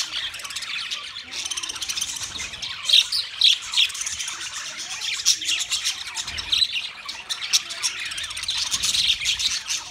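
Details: Flock chatter of budgerigars, an Australian parrot, 13 March 2024. Constant high twittering is punctuated by loud sharp squawks, a few distinct whistled notes, and a brief low thump midway.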